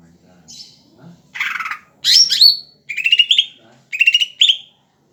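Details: A very tame greater green leafbird singing vigorously. A soft whistle and a buzzy burst lead into loud sharp upslurred notes, followed by two matching bright trilled phrases that end in emphatic rising notes.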